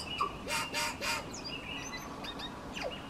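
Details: Tui in a cabbage tree over a driveway in dense suburban housing, another bird answering: a short whistle, then three breathy wheezing bursts, followed by scattered thin sweeping notes and clicks.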